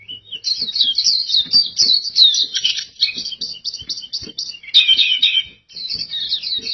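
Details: Oriental white-eye (pleci) in energetic gacor song: a long, dense run of high twittering, warbling phrases with quick chattering notes, nearly continuous with brief pauses, plus faint low clicks and knocks beneath.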